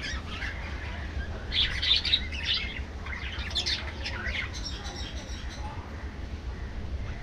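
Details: Budgerigars in an aviary feeding in the afternoon; bursts of high, scratchy warbling chirps come in two clusters over a steady low rumble of background noise.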